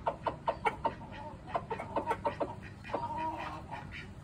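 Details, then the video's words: Rooster giving a quick run of clucks, short mid-pitched notes about five per second, then a pause and a second looser burst, ending in a more drawn-out nasal note, over a low steady background hum. "Rooster behavior and sounds"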